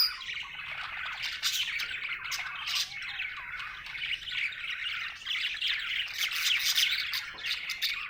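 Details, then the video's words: Budgerigar chirping happily, an irregular fast run of squawky chatter, roughly three notes per second, with short high squeaks throughout. "Happy budgie chirping sound"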